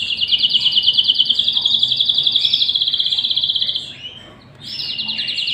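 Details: Domestic canary, a male with his mate and chicks in a cage nest: a long, rapid, evenly pulsed high trill lasting almost four seconds, a brief pause, then a new trill begins.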